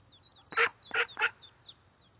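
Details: Mallard ducks and ducklings, recorded by a microphone placed by the corn. Three loud, raspy quacks come in quick succession, surrounded by soft, high, thin duckling peeps over a faint low hum.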